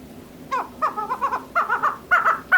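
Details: Female chukar partridge calling: harsh, harmonic chuk notes that start single and spaced, then come in quicker doubled and tripled bursts, building in loudness over under three seconds.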